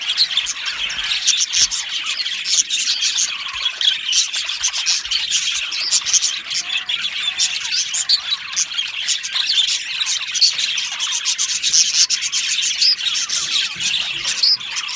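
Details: Happy budgerigars in an aviary colony chatter nonstop for a long stretch, a dense layer of bright chirps, scratchy warbles and clicks with no pauses.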